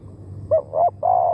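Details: Spotted dove used to lure wild birds, giving deep mellow coos: two short rounded notes, then a long steady coo that fades only slightly, with a low hum beneath.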